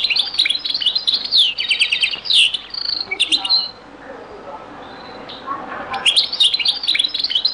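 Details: European goldfinch singing in a very old recording of the Beni Messous 'les avocats' (zaboka) song style: rapid twittering phrases of tinkling notes and buzzy trills, broken by a pause, then resuming.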